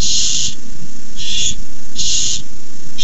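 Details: Hissing, rasping screeches from barn owl nestlings begging when a rat arrives at the nest; three broad noisy bursts, each roughly half a second long, over a steady low hum.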